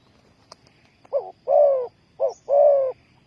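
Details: Spotted dove cooing to lure wild doves into a trap. Two clear phrases, each a short soft note and then a long, steady, resonant coo, with the next call beginning at the end. A faint click and high chirp come earlier.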